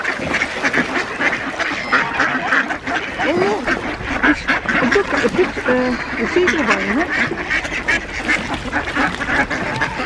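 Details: Many ducks, with two geese among them, calling at feeding time on Diss Mere in December 2022; a dense, continuous chorus of overlapping nasal quacks and short rising and falling calls, with no pauses throughout.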